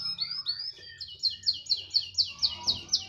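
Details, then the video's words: Canary song: two slurred high whistles, then about ten clear descending notes repeated at a steady pace of roughly four per second, over faint hum. "Kenari *SPECIAL*,, mau di taruh di mana saja tetap gacor"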